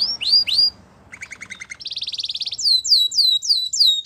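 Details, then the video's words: Canary singing as training material for young canaries: a few rising whistles, a soft pulsed stutter, a quick buzzy trill, then a steady run of clear descending whistled notes. "Canary Singing In The Wild | The Best Canary Training"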